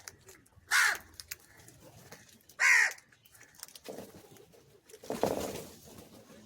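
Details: Crow calling for cheese while being fed: two loud, harsh caws about two seconds apart, followed by softer rustling and a rougher broadband burst near the end, with quiet background noise.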